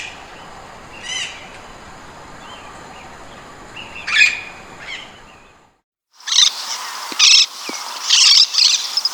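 Slender-billed parakeet giving harsh, raspy squawks in short bursts, with softer chirps earlier.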